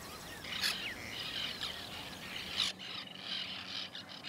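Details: White-winged terns at a nesting colony in 2021: harsh, scratchy calls from several birds overlap in a busy chorus, with a sudden drop in background noise partway through.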